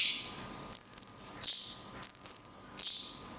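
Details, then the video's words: Mountain tailorbird (cungkok) song in the long 'tembakan kunti' style with natural pauses, a recording meant for training songbirds: high whistled notes, some sliding down, repeated in four bursts under a second apart, with a faint steady hum behind. "CUNGKOK TEMBAKAN KUNTI PANJANG - JEDA ALAMI"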